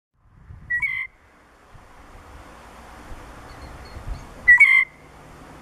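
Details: A female blue jay gives alarm calls, which she uses for hawks or crows and sometimes to imitate a sharp-shinned hawk to alert her mate: two short, sharp, slightly harsh calls about four seconds apart over faint low rumble like distant traffic.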